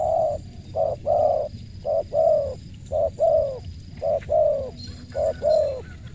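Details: Clear spotted dove cooing, a crisp voice repeating a two-part phrase of a brief coo and a longer rounded one about five times at an even pace, with light background noise.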